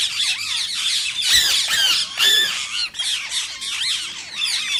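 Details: Shrill, grating rose-ringed parakeet screeches, described as a trigger for singing and mating in listening birds. Notes have rising and falling sweeps, come in tangled clusters, and dip briefly near the three-second mark.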